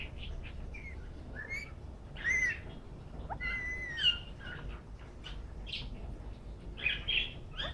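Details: Pet green ringneck parakeet making cute soft sounds while enjoying a head massage: scattered short chirps and squeaky notes, some brief rising and falling whistles, with quiet gaps between them and low background hum.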